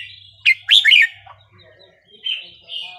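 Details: Burmese-style (3-4-5-6) red-whiskered bulbul song used to train young birds: a bright, burry warbled burst of quick slurred notes, followed by quieter chirps and two softer whistled phrases, with a low hum at the start.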